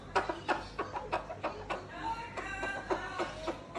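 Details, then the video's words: A Moluccan cockatoo gives a quick run of short, hoarse, chicken-like clucks, about three a second, with a few drawn-out warbling notes partway through. "Bird or Chicken"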